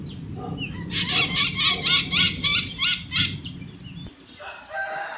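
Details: Rhythmic series of about seven coarse, screechy maritaca parrot calls, evenly spaced, then a short gap and softer squawks at the end; low rumble behind.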